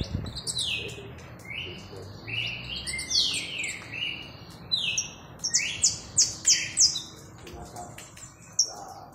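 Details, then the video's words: Saffron finch mixing lower rising and falling warbled whistles with later bursts of crisp, high chipping notes. Background hiss is noticeable throughout. "Canário da terra"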